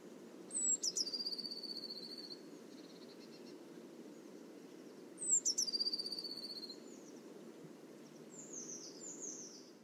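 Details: Two song phrases from a Eurasian blue tit about five seconds apart, each a high thin downslurred whistle then a rapid, fading trill, with a faint soft high chirping near the end and low background rumble throughout.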